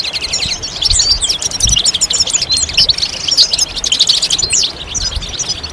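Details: European goldfinch song: a fast, liquid twittering of bright tinkling notes and short trills running without pause, over a low background rumble.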